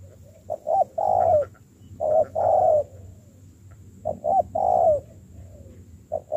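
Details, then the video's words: Freshly caught spotted dove in decoy training. It coos in repeated phrases: a couple of quick low notes, then a long coo that dips at the end, roughly every two seconds. "thúc gù"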